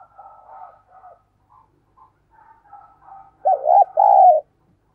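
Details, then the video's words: Decoy spotted dove cooing to lure wild doves: soft, faint coo phrases murmur for three seconds, then two loud mid-pitched coos close the sequence, the first notched and the second a long, even note. "Chim Cu Mồi Đẹp Mã Thúc Và Gáy Gọi Bổi Căng Đét"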